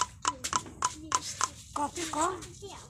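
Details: A common myna (shalik) mimics Bengali village speech in a quiet room: a run of sharp clicks and clipped, voice-like syllables, such as "bhat khaichho?" and "apa koi?", then a rising, hoarse talking phrase.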